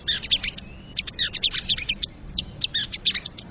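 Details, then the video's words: Crested jay heard in the wild: rapid high chips and clicks in dense clusters with brief gaps, plus one thin, faint whistle early on, against quiet low background noise. "MASTERAN BURUNG SOGON SUARA ASLI SOGON LIAR"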